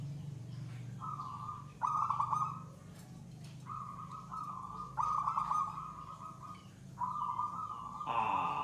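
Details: Zebra dove (perkutut) in gacor song, the settled third stage with long bouts: series of trilled, purring coos at an even pitch with short breaks, a louder harsh burst at the end, steady low hum behind.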